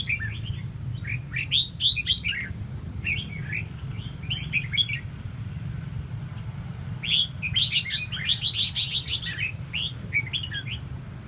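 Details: {'caption': 'Red-whiskered bulbul with fanned tail delivering chattering bursts of rapid whistled notes, two bouts early and a longer, denser run after a pause, with a low rumbling hum throughout.'}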